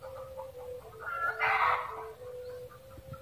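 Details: A red junglefowl gives one loud, raspy cackle burst around the middle, framed by softer clucks and a steady faint tone in the background.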